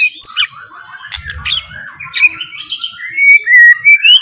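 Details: White-rumped shama, or murai batu, in a slow, relaxed song that provokes other shamas to sing. Harsh chatter and clicks give way to a string of clear whistled notes that rise and fall, louder toward the end.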